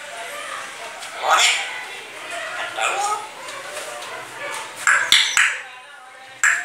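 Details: Pet grey parrot after bathing, said to repeat phrases and cough. A string of irregular, speech-like syllables and squawky fragments, ending with sharp clicks and short bright bursts.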